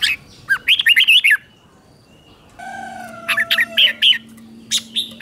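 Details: Red-whiskered bulbul morning song used to train and provoke other bulbuls; a quick warbled phrase of looping notes, a pause with a steady low tone, then further short chirpy bursts.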